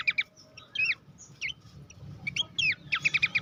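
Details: Horsfield's babbler, master recording for songbird contest training: sparse, well-spaced whistles and looping slurred notes with gaps between, closing in a quick series of five or six bright repeated chirps.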